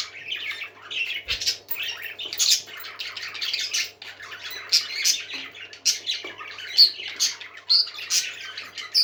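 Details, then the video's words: Several parakeets chattering indoors, a lively stream of harsh squawks, scratchy warbles and bright whistled squeaks, with one brief thump early on and a faint steady hum. "Happy Parakeets Singing"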